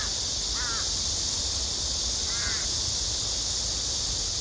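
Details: Female crow begging her mate for food: two short, nasal, harmonic calls about two seconds apart, each slurring slightly downward, over a steady hiss.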